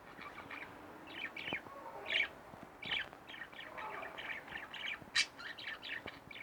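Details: Two pet budgerigars indoors giving quiet, rapid chattering chirps, a string of short scratchy notes with one sharper louder chirp near the end.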